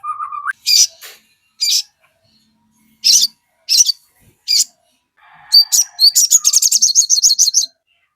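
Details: Crested jay (sogon) song used to draw responses from other birds: a short low whistle, then spaced harsh high notes, ending in a quick rattling series of sharp chirps.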